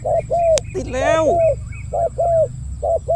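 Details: Spotted dove decoy for trapping, delivering deep 'khu-ang' coos: a string of short and longer mellow hoots, partly overlapped by a man's excited speech and a sharp click.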